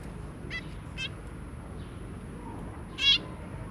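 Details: Zebra finch household of two adults and three young, January 2022: two faint short calls followed by one louder, sharper nasal call near the end, in quiet surroundings.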